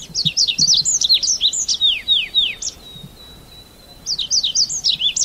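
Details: Red avadavat giving rapid bursts of high, thin, downslurred chirps, a quick run of notes, a pause with a faint steady tone, then another burst of twittering.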